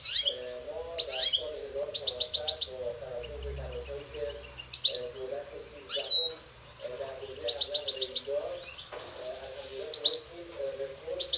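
Goldfinch song: quick liquid twitters and buzzy rattling trills in bursts every few seconds, over a steady lower warbling from other birds.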